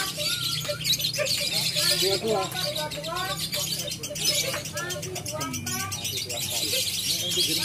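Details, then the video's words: Competition lovebird, fighter class, in Indonesia, giving fast repeated chirps and bursts of squeaky twitters about four per second, over steady crowd chatter and background hum at the contest field. "Lovebird Fighter Gambleh Suka Juara"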